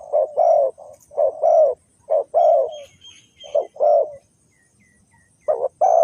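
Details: Decoy spotted dove in Ninh Thuận, Vietnam, calling to lure wild doves into a trap: paired mellow coos, a pause, another pair, then a longer silence before fresh coos begin.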